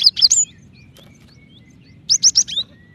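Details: Calling female cinereous tit summoning a male, meant to spur other tits to sing faster; two short bursts of rapid, high, piercing chirps separated by a silent gap of about one and a half seconds.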